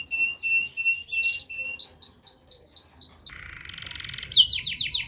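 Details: Canary song of repeated two-tone chirps, a short buzzy roll, then a burst of rapid high down-slurred notes, bright and clear.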